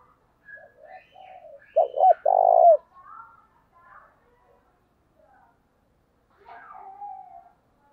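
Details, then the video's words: Spotted dove calling at dawn to attract wild doves, thổ đồng voice: low murmurs, then one strong phrase of two short coos and a long held coo, followed by faint trailing notes. "cu gáy thúc gù và gáy gọi bổi sáng sớm"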